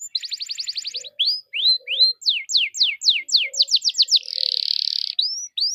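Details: Lure song of a canary meant to set other canaries singing: a rapid ticking trill, short rising whistles, a run of steep downward-sweeping notes that speed up, then a broad buzzing roll and a final upslur.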